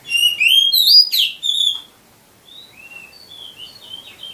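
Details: Master song of an oriental magpie-robin, played to make caged birds sing: bright rising whistles and a sharp downward sweep, a brief pause, then softer scattered high chirps and short whistles.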